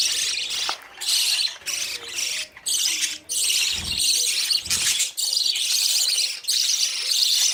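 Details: Young budgerigars running after parent birds for food; choppy bursts of high chattering and chirps separated by short silences, a few soft thuds in between.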